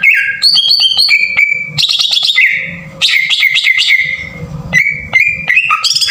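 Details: Green leafbird singing coarse, forceful phrases as a lure for other birds. Clicked whistles step between pitches, interrupted by rasping buzzy bursts and rippling warbles, with brief pauses between phrases.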